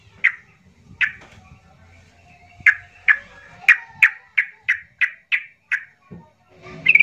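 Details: Agitated yellow-vented bulbul calls intended to trigger silent bulbuls to sing: a quickening series of loud, short chirps, about three per second at the peak, over faint low background noise.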